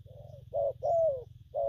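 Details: Spotted dove, newly caught, cooing in the gù phóng, gù kèm and gù lăn styles: a soft low note, a short coo, a long drawn-out falling coo, then another short coo, over a faint low hum.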